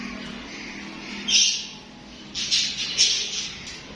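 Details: Chattering pet budgies (parakeets): a single harsh squawk, a short pause, then a quick cluster of three or four scratchy chirps.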